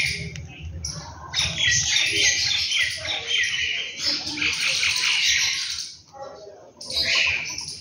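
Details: Birds at home in the morning, a dense chorus of high, overlapping chirps and twitters that runs almost without pause, dips briefly near the end, then resumes, over a faint low background rumble.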